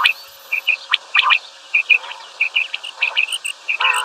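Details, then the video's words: Common quail, called batair, giving a doubled calling; short, clipped, high notes in quick pairs and small groups, repeated irregularly about every half second over a quiet background. "Batair Ki double Awazay| Quail sounds | Batair Ki Awaz |Common Quail Calling | double Batair Ki Awaz"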